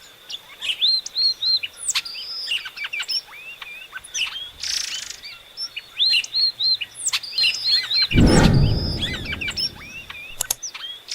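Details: Epaulet oriole, or inhapim, singing lively phrases of looping whistles and sharp chips repeated in quick succession, with a loud low rumble of handling noise late on and a steady faint high tone throughout.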